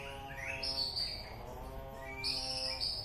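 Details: Murai batu, the white-rumped shama, from Alue Ie Mirah in East Aceh, sings two bursts of thin, very high sustained notes with softer mid whistles between them, over a constant humming drone.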